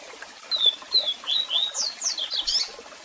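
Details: A strong double-collared seedeater song of repeated level whistles that speeds into rising and falling sweeps and high twittering notes. Waterfall noise hisses steadily behind it.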